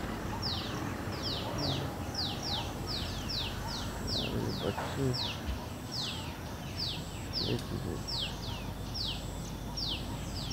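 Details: A mother White-breasted Waterhen with her black chicks forages through dry leaves in a Delhi orchard garden. The fledglings keep up a run of sharp, falling, high-pitched chirps at a quick, even pace while a man speaks briefly in Hindi.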